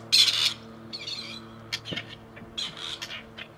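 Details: Returned to Tullow in search of females, two wild male grey partridges from a release project call. A loud grating rasp opens, followed by several softer, shorter rough notes.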